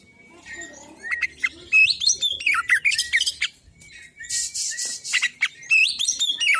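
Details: Loud, rapid song from a male white-breasted Oriental magpie-robin, played as a trigger to make other magpie-robins sing. Quick tumbling whistles and sharp chirps, with a harsh scratchy burst midway before the bright whistled phrases resume.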